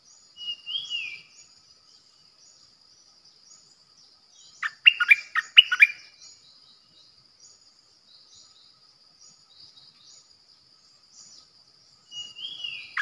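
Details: Decoy bulbul, 8 May 2021: a short descending whistle opens, then silence, a dense mid-recording burst of gurgling notes, and another falling whistle near the end. A faint high tone persists throughout.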